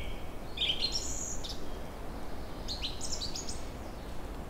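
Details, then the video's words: Birds newly arrived in forest and meadows on a fine April day in early spring, after the river ice has broken up: two short high twittering phrases, one near the start and one toward the end, over a steady low rushing background. "Songs birds in early spring."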